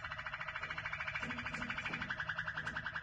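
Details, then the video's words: Waterslager canary (yellow canary) singing a steady, rolling trill of fast, even pulses, about ten a second, bubbling along at mid-high pitch without pause. "Canary Wetherslager"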